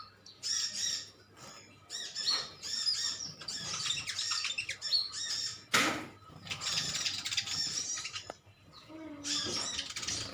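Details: Several metallic green sunbirds call back and forth in a colony. Clusters of high, sharp chirps arrive in bursts, broken by a brief rustle and quieter pauses.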